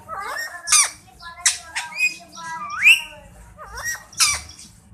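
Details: Pet Indian parrot imitating speech with the phrase Mian Mithu: short nasal word-like syllables broken by sharp shrill squawks about every second, one syllable sweeping upward.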